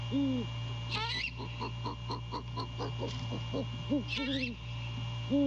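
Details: Male great horned owl at night, calling to his mate while checking the nest on January 15, 2022. Low, soft hoots open and close the clip. A rapid pulsed chorus, harsh raspy bursts and a steady hum run behind them.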